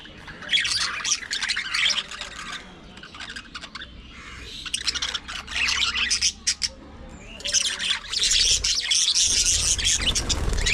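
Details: Pet budgerigars in a busy flock, shown squabbling, playing and preening one another, pour out dense, scratchy warbling chatter and sharp squawks in long bursts with short pauses, the last burst ending in a low rumble.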